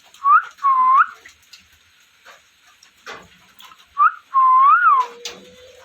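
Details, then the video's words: Parrot giving loud clear whistles: a short rising note, then a longer U-shaped whistle, repeated after a pause with an added wavering rise and fall, plus faint scratchy chirps between. "Parrot Chirping Sounds | Natural Parrot Sounds | Parrot Calling Sounds"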